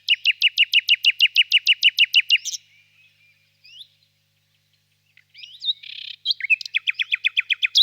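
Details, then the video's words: Warm spring evening, birch grove, a distant nightingale: a long steady run of about twenty loud repeated notes, a pause with a few soft whistles and a buzzy note, then another rapid repeated series. "Пение соловья"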